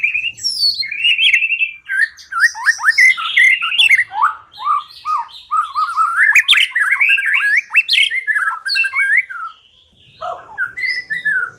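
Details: White-rumped shama lure song for trapping: a continuous varied stream of short slurred whistles and chirps, rising and falling quickly, with brief pauses near the end.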